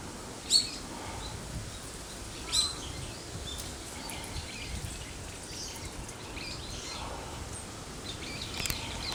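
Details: Brown-eared bulbul giving what is believed to be an earthquake-warning alarm call, recorded after 1 pm on 27 November 2013; two sharp, high chirps near the start, then fainter scattered chirps over steady background noise.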